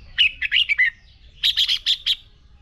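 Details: A red-whiskered bulbul delivers a fighting song for training: two rapid phrases, first five dropping slurred notes, then five sharper, higher bright notes, all clear and loud.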